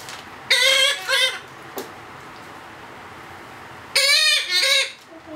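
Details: Hand-fed Blue-headed parrot chick, two months old: two bursts of paired raspy, wavering squawks several seconds apart, a soft click between, indoors.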